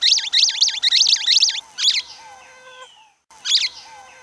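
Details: Canário-do-amazonas, the orange-fronted yellow-finch of Brazil, singing a fast series of high, looping rising-and-falling notes, a run of about five then a pause, a brief break in sound, and one more short burst.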